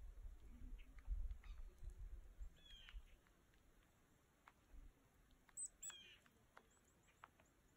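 A chickadee gives a few short, high, thin call notes, some sliding downward, scattered over several seconds against low rumbling wind or handling noise.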